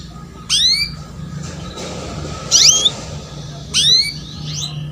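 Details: Female canary luring a male into song, used to train young canaries: three separate sharp chirps with swooping, slightly buzzy tones, spaced over a second apart amid faint hiss.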